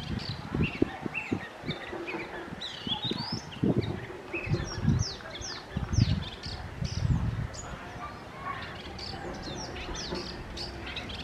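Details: Oriental magpie-robin singing: a busy series of short whistled notes and sweeping chirps, high and varied, delivered irregularly over low thumping and handling noise.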